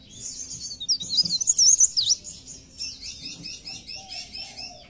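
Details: Pied bush chat (burung pare-pare) singing in a songbird training recording: a busy, high, scratchy warble of rapid jumbled notes that fades into softer twitters, with a low hum underneath.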